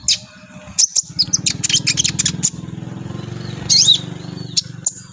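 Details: Brown-throated sunbird, locally kolibri ninja, singing energetically and displaying; bursts of high sharp chirps and a few thin whistles over a steady low engine-like hum.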